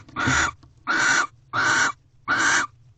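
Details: Nesting barn owl pair mating at dawn in a corral owl box, February 2023: four loud hoarse screeches in a row, each about half a second long, with low rustling between them.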